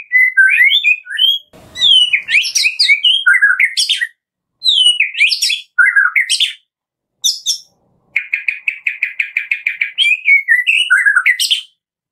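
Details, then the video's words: A White-rumped shama lure recording to trigger other shamas to sing: bursts of rich, varied whistled phrases, then fast crackling rattle series and sharp high notes, with brief pauses between phrases. "KRETEKAN MURAI BATU GACOR"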